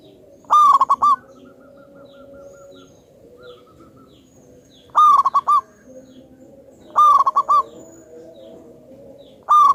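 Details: A zebra dove of local wild stock, praised as loud and vocal and used as a lure, repeats its rapid stuttering coo phrase four times over about ten seconds, each ending in a ringing note, above a low steady background hum.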